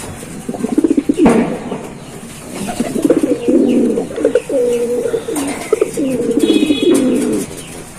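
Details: Giribaz breed pigeons giving deep, resonant rolling coos, several birds overlapping, bursts of throbbing notes swelling and fading every second or so, a sharp tap near the start.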